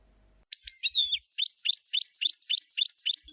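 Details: European goldfinch song in camper style: two sharp chirps and a short buzzy slur, then a steady, even run of bright twittering notes repeated about three or four times per second.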